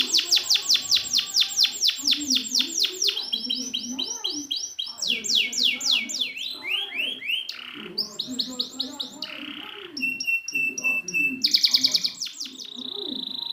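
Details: Canary song played to train stalled canaries: rapid trills, sweeping whistles and varied quick phrases changing every second or two, with low warbling sounds running underneath throughout.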